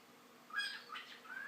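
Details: A pet male cockatiel, a fast learner being taught to talk and sing, gives short, bright chirps that slide upward with clear ringing overtones while his owner repeats "what a pretty bird" to him.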